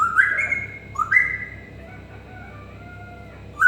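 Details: Pet African grey parrot gives two clear rising whistles, then softer, long, level whistled tones fading out, ending with a sudden bright whistle in a quiet room.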